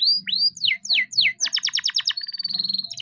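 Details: Young captive canary in lively song used to stimulate reluctant canaries: arched sweeping whistles, a quick series of sharp repeated notes, then a level buzzy trill, with a faint low hum behind.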